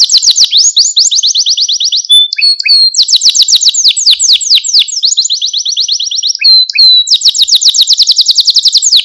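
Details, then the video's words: Canary training song for young canaries, meant to stimulate and excite them: long, very high rolling trills of rapid repeated notes, broken by brief twittered bits, then resuming in a fast, even roll. "Kanarya Sesi Ötüş Eğitimi | Kanarya Ötüşü eğitimi | Kanarya Kızıştırma ve Huylandırma"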